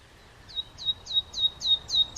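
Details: Common nightingale singing: a run of about seven sharp, high, downslurred notes repeated roughly three times per second, growing louder toward the end.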